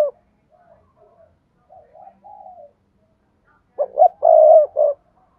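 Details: Spotted dove call, used to encourage silent doves to call. Soft low murmurs, then a loud phrase of two short notes, a long held coo and a short final note.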